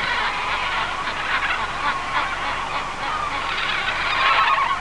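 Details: Wild parrots at a communal roost in Harlingen, Texas, with adults bringing young to join: a dense, continuous din of many overlapping harsh squawks and chatter from the flock.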